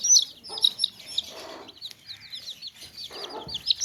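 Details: Young chicks in a basket, or tokri, give bright, high piping chirps in quick runs, pausing briefly in the middle before resuming. Soft rustling or low clucks show up around one and a half and three seconds.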